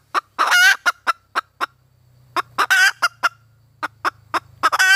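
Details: Female red junglefowl calling for a mate: sharp clucks spaced irregularly, broken by three longer nasal, harmonic squawks near the start, middle and end, over a faint low hum.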